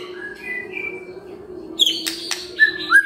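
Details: White-rumped shama morning song, played as a lure to stir quiet shamas into singing: scattered clear whistled notes, a long level whistle early, then short bright whistles and a rising whistle near the end, with sharp clicks and a steady low hum throughout.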